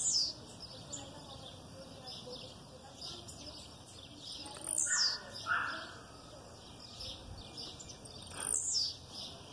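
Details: Aggressive song of a blue-black grassquit, with female calls in the background. Three high, quick, downward-sweeping buzzy notes are spaced about four seconds apart. A short lower chirp sounds in between, with faint twittering throughout.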